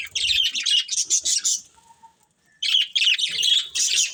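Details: Budgerigar family chattering: rapid scratchy chirps and warbled twitters in two bursts, separated by a quiet pause of about a second in the middle of the recording.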